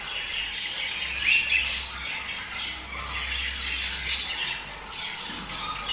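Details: Budgerigar chatter for prompting mating: softer background warbling of scratchy chirps with a short rising squeak and an occasional sharper squawk, voices blending into a continuous murmur.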